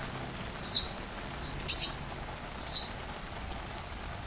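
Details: Sunbird song offered as shama tutor material: high, thin, downslurred whistles, some paired with a brief twitter, repeated roughly every second, with one sharp click partway through.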